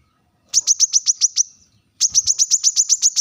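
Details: Brown-throated sunbird giving a sharp call to challenge rivals: two bursts of rapid, high, piercing chip notes, about ten even strokes each, separated by a short silence.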